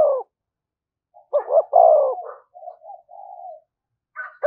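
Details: Spotted dove cooing as a lure to provoke wild doves: one phrase of two quick hoots and a drawn-out falling coo, then soft level murmured notes, with another phrase starting at the end.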